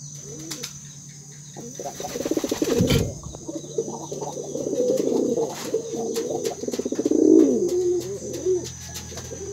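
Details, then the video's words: A male domestic pigeon with blue-grey silver plumage persistently coos to call its female: low, throaty rolling coos in repeated bouts with a hard, broad clatter near the third second and a steady faint high hum behind. "SUARA MERPATI GOMBAL BETINA"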